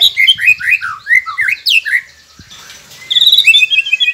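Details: White-rumped shama singing for prompting caged birds to sing: fast run of rich downslurred whistles, a brief quiet gap, then high rapid chattering notes.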